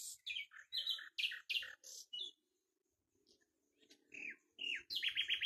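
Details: Common nightingale song of quick, varied chirped notes in a rapid series, a quiet gap with a low hum, then rising slurred notes and a fast repeated trill.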